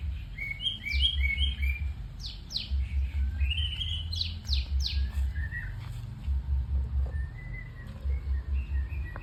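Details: White-rumped shama giving spaced bursts of short chirps and steep falling whistles, then softer scattered whistled notes, accompanied by low rhythmic thumping in regular pulses.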